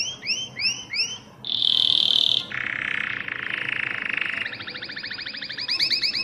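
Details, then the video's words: Mosaic canary song: four rising whistled slurs, then a steady pure high tone, a buzzy lower roll, and a fast rapid trill of repeated notes closing the phrase. "تغريد كناري الموزاييك"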